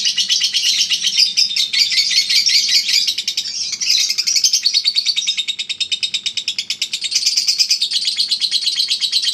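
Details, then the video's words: Ngekek chatter from a prize-winning Eagle Head lovebird: fast high rattling notes run on without pause, briefly thinning midway before swelling back into a dense shrill trill. "Ngekek 1 menit up"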